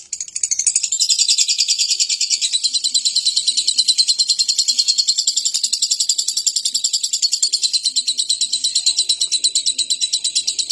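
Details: Lovebird used daily so nearby birds join in and sing: a sustained, dense, high-pitched chattering trill of rapid regular pulses, continuing unbroken for about ten seconds.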